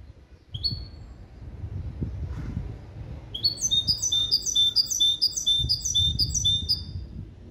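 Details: Hybrid from a male goldfinch and female canary, schooled in a clean limpio song of goldfinch calls, 2021. One isolated high note, a pause, then a long regular series of quick, bright, trilled syllables for nearly four seconds.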